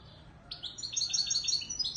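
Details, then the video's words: Widani Marrakchi goldfinch song from Morocco, a dense burst of sweet, high twittering notes in quick succession, each note short and slightly slurred, with a steady, lively rhythm over quiet low background noise. "تغريد_الحسون_الويداني_المراكشي الأصيل"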